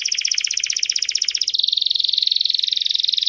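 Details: Belgian canary singing: a fast rolled trill of bright, buzzy notes pulsing about three times a second, then switching at mid-point to a steadier, smoother high roll that carries on evenly to the end.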